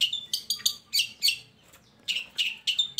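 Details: Long-tailed shrike song used to lure lazy shrikes into singing: harsh buzzy notes repeated in quick bursts, a short pause, then more rasping phrases.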